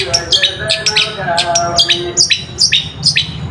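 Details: ['Long-tailed shrike singing as a lure to rouse reluctant shrikes, giving sharp, down-slurred chipping notes at uneven intervals, with faint steady tonal sounds in the background.']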